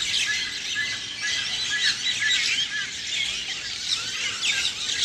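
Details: Dense early-morning twittering of many birds: continuous overlapping high chirps and thin whistles forming an unbroken bright chorus.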